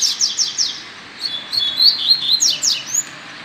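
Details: Double-collared seedeater giving tui tui zel zel song: a run of quick descending chirps, a thin level whistle, then more steep chirps over a steady background hiss.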